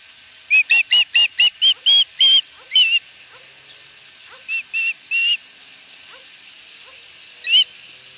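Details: Osprey with a fish at its nest, 22 August 2020: a burst of eight loud, ringing whistled chirps, then three softer ones after a pause and one last sharp note.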